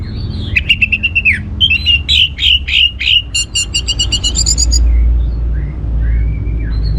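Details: Orange-headed thrush song for stimulating other birds: a dense, loud run of whistled notes and rapid buzzy pulses, rising in pitch toward the end, then a few soft distant slurred calls.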